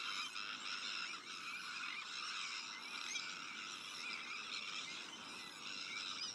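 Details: Many Sandwich terns at a breeding colony with chicks, shared with black-headed gulls, arctic and common terns, give a dense, unbroken din of harsh, grating, high-pitched calls, overlapping too closely to pick out single birds.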